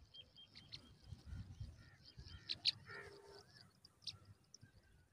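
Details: Nestling pipits begging as their mother brings fresh food: sharp, high squeaky chirps and hissing bursts, loudest near the middle, over faint low background rumble.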